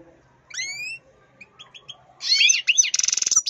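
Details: An angry pet European goldfinch: a few thin, rising whistled notes, then a harsh, buzzy, rapidly pulsing outburst of chattering notes toward the end.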